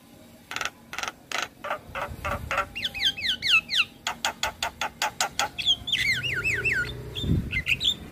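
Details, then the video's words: Javan myna in full, varied song used to prompt other mynas: clicking ticks speed into a fast series of rasping notes, with trilled, wavering whistles woven through and a low thud near the end. "Masteran Jalak Kebo Gacor Full isian - Semua Jalak Langsung Buka Suara"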